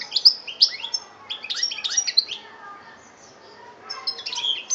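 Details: Algerian European goldfinch, 2013, delivering a lively stream of high twittering and buzzy chirps, loud at the start, fading to softer notes midway, then resuming with a fresh burst of tinkling phrases.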